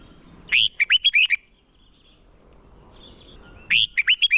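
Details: Decoy red-whiskered bulbul singing to train contest birds: two clear phrases of five or six loud, liquid, slurred whistles, about three seconds apart, over quiet background.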